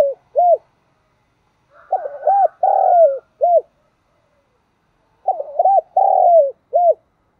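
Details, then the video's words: Decoy spotted dove calling to train newly caught doves to call back: two phrases, each a short low hoot, a quick double arched coo, a long buzzy drawn-out coo sliding down, then a clipped final coo, with a pause between. "Tiếng chim cu gáy kích bổi nhanh nổi"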